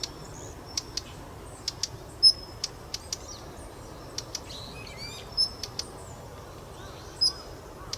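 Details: Daurian redstart, male or female, giving one of three call types: scattered high thin whistles mixed with crisp ticking clicks and a brief fluttery chatter, irregularly spaced over low background hiss.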